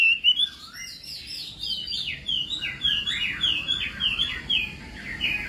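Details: Chinese hwamei during morning voice training for singing contests, delivering a softer, rolling run of liquid whistled notes in quick wavy series, with a few louder sharp notes at the start.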